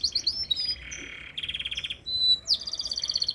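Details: Canary song labelled metralha: high whistled notes, then a fast buzzy trill, a steady tonal whistle and rapid pulsed trills repeating several times a second, loud and clear over quiet background.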